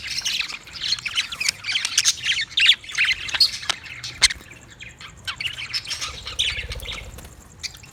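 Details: Budgerigars calling together, a dense run of rapid squawky chirps and chatter, mostly high and harsh, with a few louder clicks and a faint low hum in the background.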